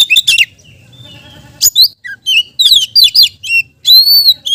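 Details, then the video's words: Lively Oriental magpie-robin song meant as a lure for other magpie-robins: piercing whistles and rapid up-and-down slurs in clustered phrases, ending on a long clear whistle, with a soft low hum behind. "BURUNG KACER GACOR‼️ isian beset || cocok untuk pancingan kacer lain‼️"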